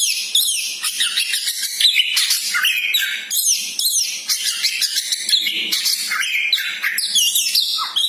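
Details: Magpie-robin song from a bird described as having a champion's spirit, played to stir up a pet bird's fighting mood: a loud, dense, unbroken run of varied whistles, rapid chirps and sweeping high notes.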